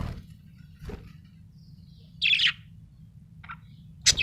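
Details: Happy budgie giving scattered single chirps: one buzzy, slightly falling chirp mid-clip, a faint short note after, and a sharp high chip at the end, with quiet gaps and a soft background hum.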